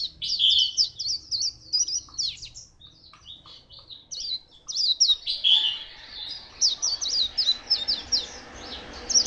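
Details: White-eye singing beautifully, recorded at Phù Yên, Vietnam, on 2 October 2015: fast, high, thin twittering phrases of sharp chirps, pausing briefly mid-way before a dense chattering run resumes.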